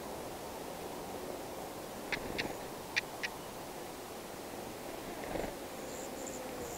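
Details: Stonechat, one of a pair feeding chicks at the nest in wild dense grass; a few short, sharp clicking ticks around two to three seconds, then a soft murmur, over steady rustling background noise.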